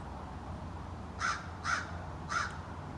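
An American Crow gives three short, harsh caws, spaced about half a second apart, over a low background hum.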